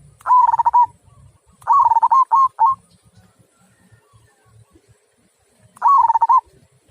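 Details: Local zebra dove singing in the big-voiced kung style: three short bursts of rapid, stuttering mid-pitched coos, the second trailing into two extra separate notes, with a long pause before the last; faint low rumble beneath.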